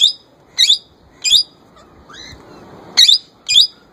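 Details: Young male plum-headed parakeet kept at home, copying a ringneck parrot's voice: five loud, harsh, screechy notes in uneven pairs, with a soft rising whistle in the gap.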